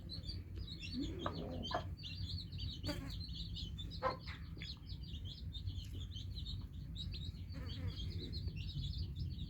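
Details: Newly hatched chicks chirping: a dense chorus of many high, thin peeps running continuously, with scattered broadband knocks and a steady low hum underneath.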